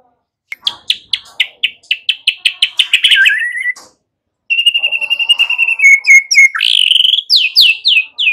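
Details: Training song of a white-rumped shama, meant to get young birds singing fast: a steady series of about fifteen sharp repeated chips, a short gap, then a long trilled whistle and descending slurred notes.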